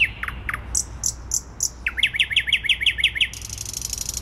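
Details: Thrush nightingale in Warsaw city centre on 12 May 2020, delivering slurred piping notes and high clicks, then a fast string of about nine chocking notes, and finally a dry churring rattle, with a faint low city drone.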